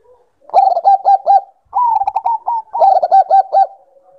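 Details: Zebra dove, Bangkok type, in a breeding-condition call: bubbly coo phrases in three bursts, each made of fast rounded notes, the second phrase starting higher and sliding down. The recording is clean and quiet between phrases.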